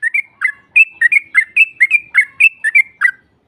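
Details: Yellow-vented bulbul lure recording aimed at a rival: a steady series of about a dozen clear, two-part whistled notes, roughly four per second, in a quiet background.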